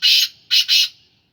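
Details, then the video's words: Captive black francolin, a Sindhi Gangas bird, gives a loud, rasping three-note phrase: one long harsh note, a short pause, then two quick scratchy notes close together, with no other sounds. "Kala teetar ki awaz / black francolin voice کالا تیتر کی آواز"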